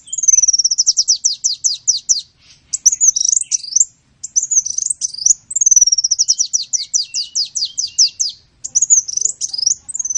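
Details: Sunbird song for tutoring songbirds: rhythmic trills of rapid downslurred notes alternating with looping, wavering whistles, the pattern repeating twice.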